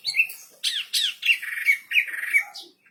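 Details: Wambi bird singing energetically, a string of short squeaky chirps and downslurred notes, each burst lasting a fraction of a second with brief gaps between them.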